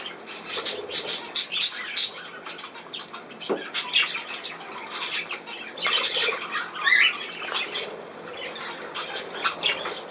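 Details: Budgerigars filmed on 17 November 2024 give dense, scratchy chattering with harsh squawks and short high chirps, overlapping almost continuously for ten seconds, with a few brief rising whistled notes and faint wing flutters.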